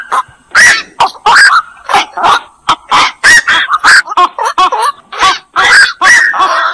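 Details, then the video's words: Black-crowned night heron: harsh, honking squawks tumble over one another in dense bursts, some calls bending up and down in pitch, with several birds seemingly calling together in quick succession. "suara burung koak"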